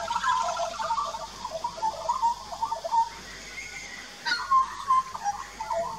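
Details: An adult and a juvenile Australian magpie carol in a duet at a backyard birdbath on 2 March 2018, rich warbled and fluting notes tumbling together, with a brief pause mid-phrase before a bright burst resumes.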